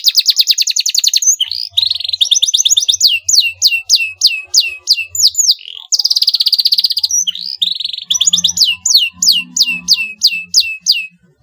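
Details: Canary lure song meant to make a rival respond at once: bright, high trills and buzzy rolls alternate with rapid series of sharp downslurred notes, about three per second, with a faint low hum beneath.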